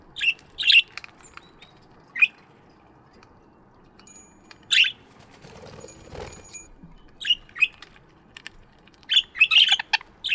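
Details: Chirping budgies in an aviary in the morning, giving short sharp chirps in scattered bursts across ten seconds with quiet gaps, a soft rustle and faint tone in the middle.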